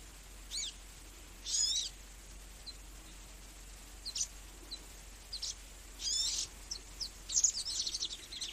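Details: Magnificent sunbird calling with scattered, very high, thin notes: sharp downward-sweeping chirps and brief trilled bursts spaced irregularly, with a denser chattering run toward the end, against steady faint background noise.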